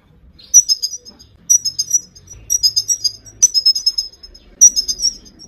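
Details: Female Himalayan goldfinch calling, used to stimulate and train a male to sing: high tinkling twittered phrases of several quick notes, repeated about once a second with short silent gaps between bursts.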